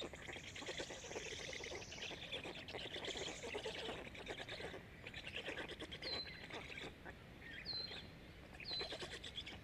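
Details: Five hungry black stork chicks in Estonia, Jõgeva County, eating fast, keep up a dense, wheezy, rasping chatter without pause; three short, clear whistles slide downward near the end.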